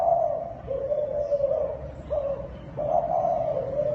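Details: A Thai spotted dove coos in drawn-out, even-pitched mid-range notes, one long phrase followed by shorter coos and a final sustained one, with a quiet hum behind.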